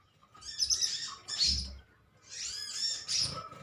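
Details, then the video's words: Colony of metallic green sunbirds chirping at each other: two bursts of thin, high, rapid twittering notes, separated by a short quiet gap, with a soft low thump midway. "Koloni burung konin metalik ijoan saling adu nyrecet"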